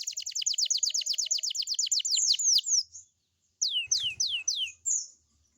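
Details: Canary song in the morning, used to prompt young canaries to sing along. A fast series of sharply descending whistled notes, several per second, slows into longer downward sweeps. After a short pause, a few more falling whistles follow.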